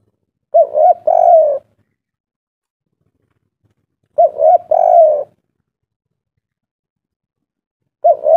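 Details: Spotted dove (derkuku) of Java in kuk 3 song style: short phrases of a quick double coo leading into a longer hollow note, repeated roughly every three and a half seconds.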